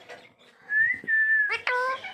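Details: Green parrot, a pet bird, giving a long steady whistle that bends slightly upward then holds level, followed by harsh harmonic squawk-like notes; soft background noise in a small room.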